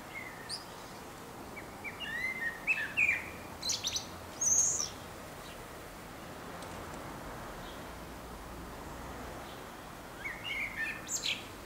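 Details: At least six common swifts flying around nest boxes, at least one in use, and into a roof ridge corner: scattered shrill screeching bursts and thin chirps, then a lull before more distant screams near the end.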